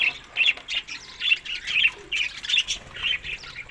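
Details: Feeding budgerigars in early summer give rapid, harsh chirp bursts, roughly two or three a second, sharp and squawky, separated by short lulls.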